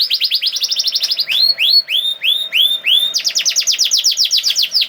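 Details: Lure song of a canary meant to prompt silent canaries to sing: a fast trill of short notes, then slower drawn-out upward-curving whistles about three a second, then a new quick trill of falling notes.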